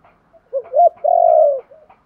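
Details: Spotted dove calling to stimulate newly caught wild birds to start calling. A quiet note leads into two short rising coos, then one long, loud, even coo held for about half a second, ending with a faint trailing note.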